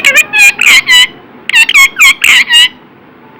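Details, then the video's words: Talking pet parrot repeating "Radhe Radhe": two loud runs of clipped, speech-like syllables in close succession, each ending in drawn-out words, over low indoor background noise. "राधे राधे बोलने बाला मिठ्ठू"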